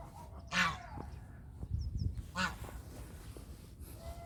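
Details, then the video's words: Two strident nasal honks from a domestic goose about two seconds apart, with low rustling and thumping noises between them. "The sounds of Country goose call is relaxing"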